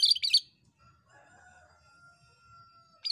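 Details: A Kerinci bulbul in full song, from a long training recording, gives bright, chattering high notes in two quick bursts, a faint steady whistle between them, then a burst of the same notes at the end.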